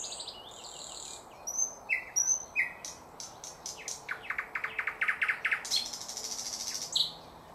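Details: Thrush nightingale singing, 2024, linked to bird catching: high whistled notes and short slurred phrases, then a fast series of sharp clicking and rattling notes in rapid bursts, ending in a bright whistle.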